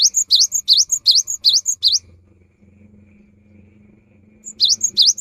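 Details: Cinereous tit in full song, a recording offered as a lure for the rainy season. Rapid series of sharp V-shaped whistles alternating with brief high notes breaks off for over two seconds, then resumes. A faint low hum lies beneath.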